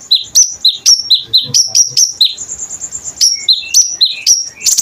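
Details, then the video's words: Konin bird singing energetically as a training recording: rapid series of sharp, high chirps with downward slurs, repeated several times a second, broken by a brief thin sustained whistle midway. "KONIN GACOR masteran untuk burung kolibri ninja"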